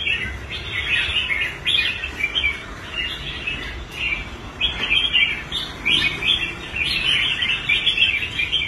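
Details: A rehabilitated caged red-whiskered bulbul, performing well again on the stand, sings short chirpy phrases in quick succession, most under a second long with brief gaps.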